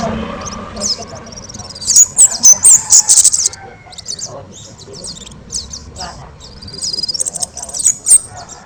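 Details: An orange-headed thrush in loud, energetic song for training other birds. Shrill high whistles and rapid stuttering bursts, followed by varied scratchy warbled fragments and another quick chattering run near the end.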